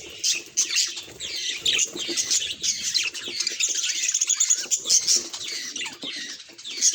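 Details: Pet budgerigars twittering together, a busy blend of sharp high chirps and fast warbled phrases, rising and falling in loudness over several seconds.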